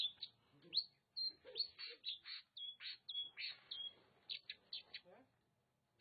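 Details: Oriental magpie-robin from Nagan Raya, Aceh, singing fast scratchy notes mixed with clear high whistles held briefly, about a dozen phrases in steady succession with faint low background murmur.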